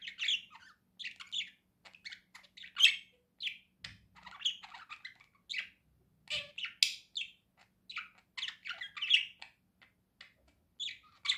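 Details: Domestic budgie warbling continuously: rapid chatter of scratchy, buzzy and whistled notes, dense and unbroken over the whole stretch.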